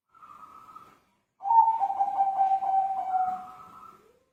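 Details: Zebra dove in full song: a brief, higher, level opening note, a pause, then a long, low, bubbling coo that wavers in pitch and fades out at the end.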